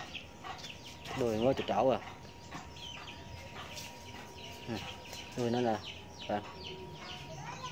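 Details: Huýt cô bird trapping at the first rain of the season, a male coming to challenge a decoy female: two short bursts of harsh, rapidly wavering calls four seconds apart, over a steady high electronic tone and quiet human voices.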